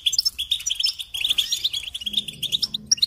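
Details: ['European goldfinch producing a brisk run of tinkling, twittering notes with a few higher sharp chirps, continuous and energetic throughout.']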